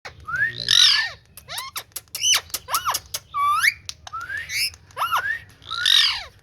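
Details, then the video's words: Green ringneck parrot talking indoors: a string of loud squawks, whistled rising and falling notes and short chattering syllables, with quiet background hum. "Parrot Talking|Green Ringneck Parrot"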